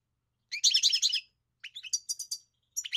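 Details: European goldfinch song: a dense, tinkling twitter burst followed by quicker spaced chirps and a final short phrase, recorded without background noise.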